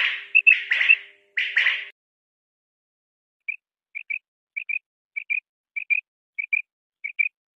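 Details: Quail, a male and three kinds of female calls: a few loud noisy bursts, then paired short whistled notes repeated roughly every half second against silence.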